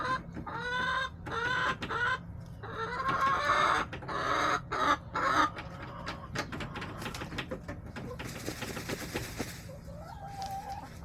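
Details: Hens clucking in a backyard flock, March 30, 2024: a loud series of harsh, harmonic squawking clucks in the first half, then softer broken clucks, clicks and scratching sounds.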